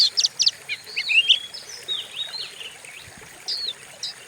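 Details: Oriental magpie-robin in a lure recording for provoking other birds: a few sharp clicking notes, then scattered rising and falling whistles separated by short pauses, over quiet hiss.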